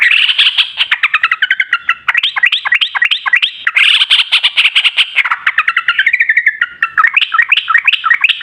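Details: Long ropel-style song of a yellow-vented bulbul, used to lure other bulbuls into singing: continuous lively chattering, bubbling descending runs and bouncy looping notes delivered rapidly without pause.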